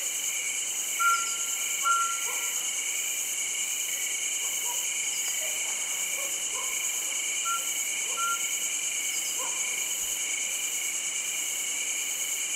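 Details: Mountain scops owl at Lansdowne, Uttarakhand, giving short pure whistled notes, two paired hoots near the start and another pair later, over a loud, steady shrill chorus of crickets.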